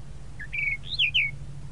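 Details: Short, softer phrase from a tropical mockingbird (sabiá-da-praia): a few whistled notes ending in two clear downslurred whistles, over a steady low background hum.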